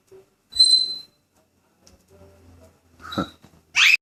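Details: Indoor pet grey parrot in a good mood making assorted sounds: a brief high pure whistle, quiet pauses, then a harsh rasping squawk and a sharp rising screech at the end.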